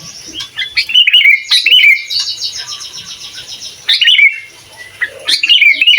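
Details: Sooty-headed bulbul in lively full song meant to provoke other bulbuls, suited for training young birds: bright bubbly whistled phrases, each a quick rising-falling warble, repeated in bursts with short pauses.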